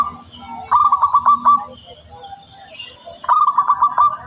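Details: A clear-voiced local zebra dove used as a lure sings two rolling phrases about three seconds apart. Each phrase is a fast string of clipped, bubbling coo notes that ends in slightly wider-spaced beats.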